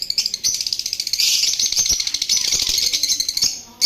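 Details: Parrots kept as a breeding male and female pair, with albino cockatiels also present, giving a dense, continuous high chatter of overlapping rapid chirps, with rattling knocks and a final sharp burst.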